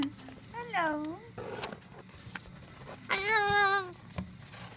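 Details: Pet Moluccan cockatoo in a room utters a rising-then-falling harmonic phrase, a short breathy sound, then a longer steady voice-like note, with soft thumps in between.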